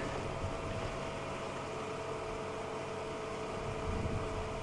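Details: A vehicle engine idles at sunset on a safari drive, giving a steady broadband hum with faint constant tones and no animal voices.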